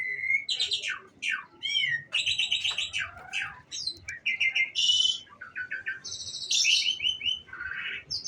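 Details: Bird singing a lively, complex medley: sweeping slurred whistles, dense buzzy rattles and quick repeated chips, continuous bright phrases changing every second, with a soft low hum beneath.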